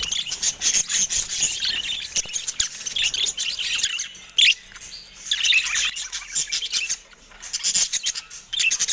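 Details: Budgerigars in a cage attacking a camera give continuous high twittering chatter, warbled chirps and squeaky notes, broken by short pauses and sharp tapping clicks, with one louder burst near the middle.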